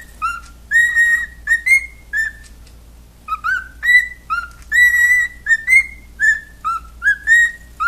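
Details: A cockatiel trying to sing an Andy Griffith song whistles a tune of clear, sliding notes in short repeated phrases.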